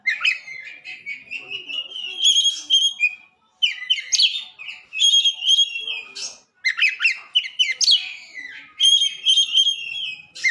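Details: Caged white-rumped shama song used for training other birds: continuous varied whistles, trills and harsh chattering bursts in dense phrases with brief pauses.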